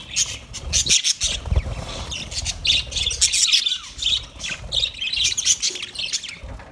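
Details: Budgerigar sounds, 29 February 2024: loud, jerky high chirps and squawks in quick clusters, with twittering warbles between, all fairly close.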